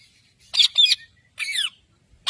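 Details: Pet parrot in a talking parrots compilation, uttering two loud grating squawks followed by a downward-sliding raspy call.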